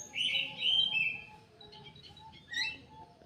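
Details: Caged kidangan kaso kaso, an Indonesian aviary bird, opens with a bright warbled whistle lasting about a second, then softer scattered chirps and a short rising flourish near the end, over a faint low hum.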